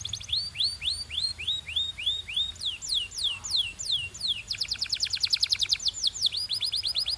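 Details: Belgian canary training song: curving upswept whistles repeated in a slow row, then longer falling sweeps, then a dense fast trill of short notes before more upswept whistles.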